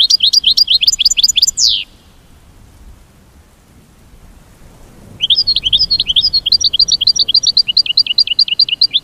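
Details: Fast, repeated rising chips from an American goldfinch form a buzzy trill that ends in a downward sweep; after a quiet gap a longer trill of evenly spaced high notes continues.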